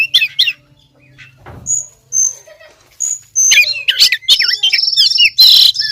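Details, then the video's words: Oriental magpie-robin female calling the male, played as a lure: a few scattered thin whistles with pauses, then a loud, busy burst of twisting whistles and harsh buzzy notes from the middle onward. "Pancingan suara kacer betina"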